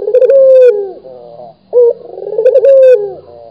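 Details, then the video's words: Vocal local Barbary dove cooing twice in quick succession, rolling, purring phrases ending on a sustained level tone that bends downward, with a faint low background hum. "SUARA BURUNG PUTER GACOR | BURUNG PUTER LOKAL GACOR"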